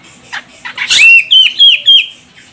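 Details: Female grey-cheeked bulbul from Medan, Sumatra, used as a lure to prompt males to sing: a few rough chattering notes, then four loud, clear whistled notes in quick succession, each sliding slightly in pitch.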